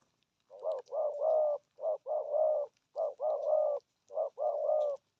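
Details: Spotted dove calling repeatedly in the 'thổ âm' style with 'gù thúc' urging coos: four phrases, each a short note and then longer rolling coos, repeating about every second.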